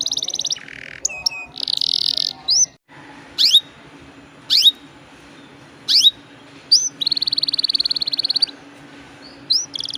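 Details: Canary song used as a lure to prompt other canaries: buzzy rolls and trills alternate with isolated sharp rising sweeps, then a long high buzzing trill near the end.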